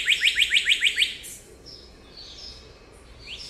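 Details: Cardinal giving a quick run of seven sharp, slurred chip-like notes in about one second, followed by faint high whistles from other birds against a quiet background.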